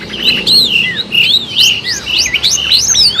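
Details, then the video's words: A long-tailed shrike pours out bright whistled notes for a bird-trapping lure: level whistles broken by quick upward sweeps and a fast series of sharp rising slurs near the end. "suara kompilasi burung cendet gacor ampuh untuk pikatan"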